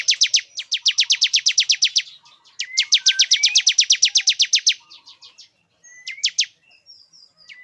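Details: Luring song of a male Bar-winged prinia for a female: two rapid bursts of high, sharp repeated notes with thin rising whistles mixed in, then scattered softer chips and short whistles.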